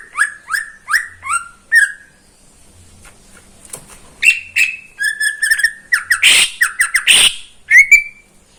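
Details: A neighbour's caged greater green leafbird sings in the morning, opening with a series of downslurred whistles, pausing, then resuming with rapid chattering trills and loud sharp notes before a final whistle.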